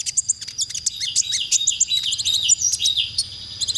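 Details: Dense, busy konin song used as masteran material for training songbirds: a rapid jumble of high chirps, trills and thin whistles that runs almost without break, over a low background hum.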